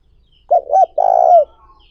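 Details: One close phrase of a spotted dove's lure call, used to excite wild doves. Two short hooted notes are followed by a long, pulsing, rolling coo that falls at the end. Faint high chirps sound behind it.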